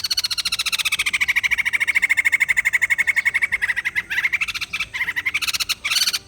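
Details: White-crested laughingthrush in a rapid, rattling, harsh chatter of fast pulses that holds steady for several seconds, then breaks into shorter bursts near the end.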